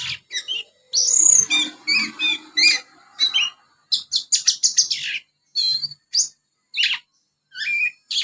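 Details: Young Oriental magpie-robin filling its twitter with house sparrow imitations, a busy run of bright, high chirps and short slurred notes, loud and nearly continuous, then more spaced single chirps.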